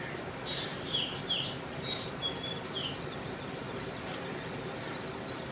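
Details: Black drongo giving high, squeaky slurred notes in short groups, then a quicker run of rising chirps near the end, over constant low background noise.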